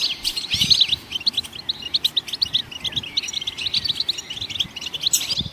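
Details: Goldfinches in the wild chirp to get other songbirds singing; here a steady run of crisp, high chirps and tinkling twitters repeats rapidly, with occasional low thumps.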